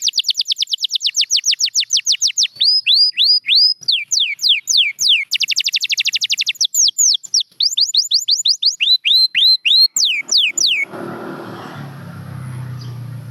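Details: Long champion canary song built of repeated tours: rapid downward-sweeping trills alternate with slower hooked whistles and a dense buzzy rattle. It breaks off near the end into low rumbling noise.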